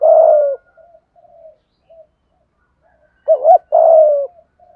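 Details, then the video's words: 'Thúc gù' cooing of a spotted dove, used to prompt wild and decoy birds to coo: opens on a long falling coo, soft murmured notes, then a doubled short note and another long coo. "Tiếng cu gáy THÚC GÙ ( bài bản ) giọng hạp bổi, nghe rất nhanh nổi"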